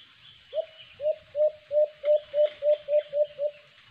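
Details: White-eared brown dove (alimokon) near a hunting cage trap: ten short, low hooting notes repeated about three per second, while higher thin whistles and chirps of other birds sound faintly behind.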